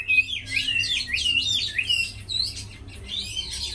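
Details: Caged tame Chinese hwamei, reputed as a good fighter and singer, with a bright, rapid series of rising and falling whistled slurs, fading slightly in the final second.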